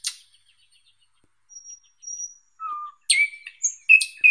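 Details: A thrush nightingale (Luscinia luscinia) sings a varied phrase: thin pure whistles, a lower slurred note, then loud sharp chirps and rattling notes in quick succession.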